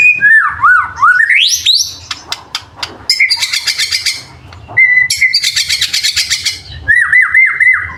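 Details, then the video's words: White-rumped shama (murai batu), a song with full isian fill and tembakan bursts, used as training material. Swooping whistles rise and fall, followed by rapid repeated ticking notes, a loud chattering burst and more wavering whistles. "BURUNG MURAI BATU FULL ISIAN & TEMBAKAN"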